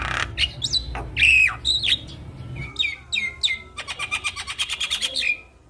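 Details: Javan myna song played to stir reluctant mynas into song: varied whistled slurs and squawky notes, then a fast run of evenly repeated clicking chatter ending in a rising whistle, with low background hum.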